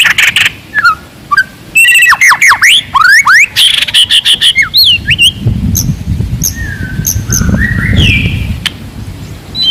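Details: Forest white-rumped shama singing loudly and aggressively to rile rivals: a fast series of sharp, repeated whistled notes and slurred swoops, easing into sparser thin notes over a low rumbling background.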